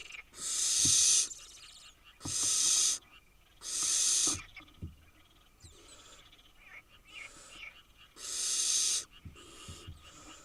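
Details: Eight wild barn owl nestlings in a nest in Israel, hissing in loud broad screechy bursts of under a second, repeated irregularly about every two seconds, with quieter rasps and small taps between.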